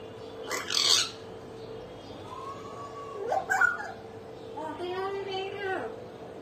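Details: Pet common hill myna talking and laughing: a harsh speech-like burst, then a long level whistle, squeaky chatter and a drawn-out wavering note, with a steady hum in the room.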